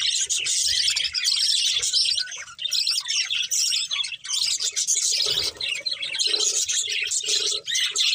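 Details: Budgerigars, a colourful breeding pair with family, deliver a long stream of busy chirps and warbling chatter, dense and scratchy, hardly pausing throughout.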